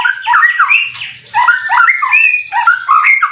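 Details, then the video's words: Indonesian competition white-rumped shama, caged and in 90% condition, sings a fast, varied cililin-style song of quick looping whistles and slightly harsh buzzy notes, in bursts separated by short pauses. "Burung Murai prestasian udh kondisi 90% materi full clilin siap turun Lg!"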